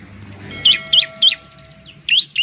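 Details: Bar-winged prinia (ciblek) of Indonesia; a few loud high looping chirps spaced irregularly, with a faint steady tone and soft background rumble.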